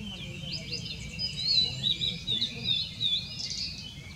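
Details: Blue-and-white flycatcher on 6 May 2016 giving a continuous run of high whistled notes and quick slurs, several loud notes rising and falling, over faint low rumble.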